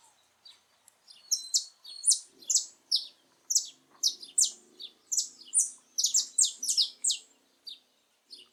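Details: Saffron finch singing freely in its natural habitat: a lively run of bright, high chirps and sharp whistled notes in quick irregular bursts, roughly 150 per minute, with faint low background noise.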